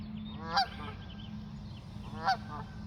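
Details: Two brassy goose honks about one and a half seconds apart, loud and nasal, against a steady low hum as the birds take off.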